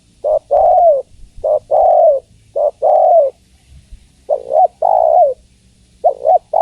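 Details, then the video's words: Calling female spotted dove, addressing the male, repeating low husky coo phrases roughly once a second, short pick-up notes followed by longer descending coos. "Suara Tekukur Betina Memanggil Jantan"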